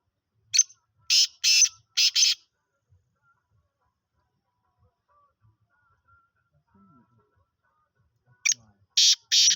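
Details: Black francolin aged five months, heard calling for the first time: a burst of harsh, grating notes in a short note-then-pairs pattern, several seconds of near silence with faint voices, then another rasping phrase.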